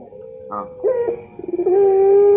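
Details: Puter pelung dove, champion master song for training; stuttering pulsed notes give way to a low, steady, drawn-out coo with a rising start.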